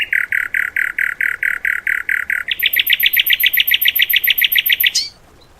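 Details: Cage-bird training song material: a row of evenly spaced buzzy mid-pitched notes, then a quicker, higher stuttering trill of short clicks that ends abruptly after five seconds.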